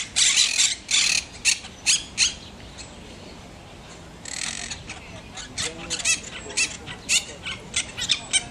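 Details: A pair of budgerigars building a nest in a palm, giving harsh, scratchy chatter in quick bursts broken by short pauses.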